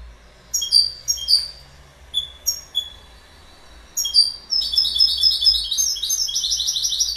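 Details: Short, clear, high notes from a goldfinch in pairs and singles, then a continuous run of bright, jangling twitters that keeps going to the end.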